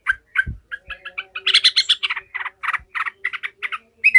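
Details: Yellow-vented bulbul in furious, emotional chattering display: scattered short notes building into a loud, buzzy rush, then evenly repeated harsh notes, with a few soft knocks early on.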